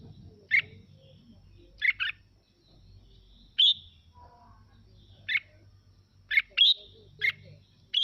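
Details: Red-whiskered bulbul, Mào Mộc style, singing to stir other birds to sing: bursts of crisp chirps, some paired, and whistled upslurs, spaced irregularly, with faint low hum between.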